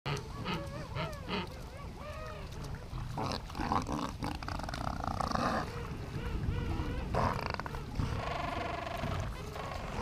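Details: A dense chorus from a colony of king penguins standing in a glacial river at Gold Harbour, South Georgia: overlapping, wavering trumpeted calls with rich harmonics over a steady low rush of flowing water.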